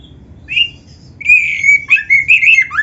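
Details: Oriental magpie-robin, a lively 'gacor' singer with full 'isian' imitations, recorded as a master track for training other birds; several clear whistled and slurred phrases, some rising then falling, separated by short pauses over a faint low hum.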